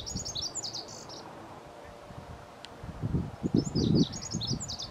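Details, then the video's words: Lazuli bunting singing, recorded May 2022: two quick phrases of high, slurred and buzzy notes, one at the start and one near the end, separated by a pause, with loud low rumbling wind bursts and a click. "Lazuli Bunting Singing"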